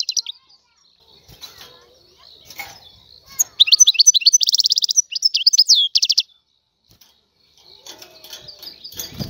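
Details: Free-living Algerian goldfinch singing: a quiet start of faint scattered chirps, then a burst of about two and a half seconds of rapid, high twittering and trilled notes, followed by soft scattered sounds.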